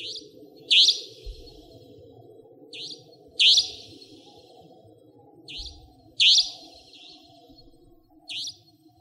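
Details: Savanna Nightjar, a territorial night bird in Pingtung County, Taiwan, 2014–2015, repeating paired high, harsh, upslurred calls, a faint note then a loud one, roughly every two and a half seconds over a continuous low droning background.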